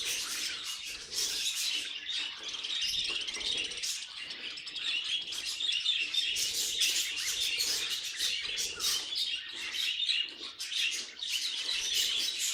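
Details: Long stretch of pet budgerigar chatter, quick high tweets and buzzy warbles tumbling together, dipping briefly a few times before resuming at full pace.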